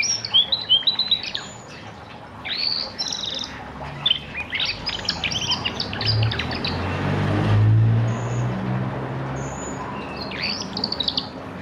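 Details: Orange pet canary, a strong whistler, giving bursts of rapid, chirpy high twittering in the first seconds, again around three to four seconds and briefly near the end, with a low rumbling background noise in the middle.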